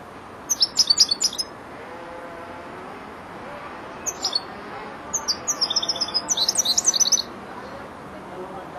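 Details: Young European goldfinch, four months old, beginning to complete its phrases: scattered bursts of sharp metallic twitters, a short cluster, then a longer run of rapid chirps with a buzzy note mixed in.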